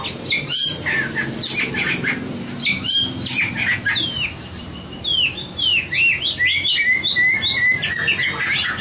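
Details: White-rumped shama being trained for competition singing delivers a fast, varied stream of whistled, slurred notes and clicks, denser toward the end, with a few loud knocks over low background hum.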